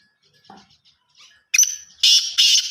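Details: Black francolin calling in Pakistan or India: after faint background chirps, a loud harsh burst of grating, rasping notes starts abruptly, followed by two more loud rough phrases close together at the end.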